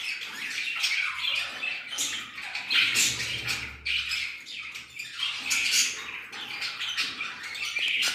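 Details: Budgerigars in the evening chatter continuously with scratchy squawks, chirps and warbles in a small room.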